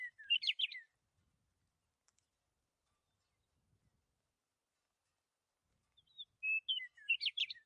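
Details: Birds singing among trees swaying in the wind: a quick burst of high, twittering chirps opens the recording, then about five seconds of quiet, then another bright, tumbling phrase of whistled notes and rapid trills.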